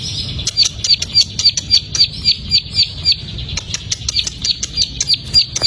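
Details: Song of the plain prinia used to prompt a raw, untrained bird: rapid high chips repeated about four a second after a short quiet start, slightly blurred and uneven in loudness, with light low background noise.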